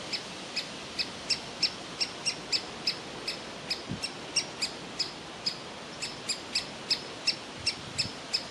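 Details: Young woodpecker in a nest hole demanding food while its parents urge it out; a lively series of sharp, high, evenly spaced calls, about three per second.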